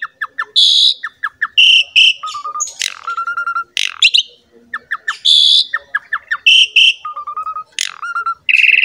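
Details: Lively Asian pied starling (jalak suren) song for luring other songbirds: phrases of quick chirps, a harsh squawk and a row of short flat whistles, the pattern repeating roughly every five seconds.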